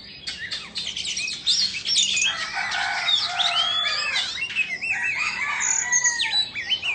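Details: Indonesian Oriental magpie-robin singing while dancing and spreading its tail, a long, continuous flow of overlapping whistles, scratchy trills and looping, rising-falling whistled notes.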